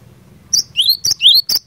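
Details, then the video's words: Cinereous tit singing fighter-style to goad other tits into answering: a short run alternating piercing high notes with two upward-sliding whistles, clean and loud against a faint low hum. "Burung Glatik Batu Gacor Fighter, Cepat Bikin Glatik Lain Langsung NYAUT"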